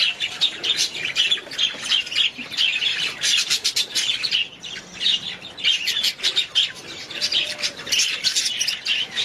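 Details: Pet budgerigars chatter continuously, a dense stream of rapid, high, raspy chirps and warbles overlapping one another with brief dips in between.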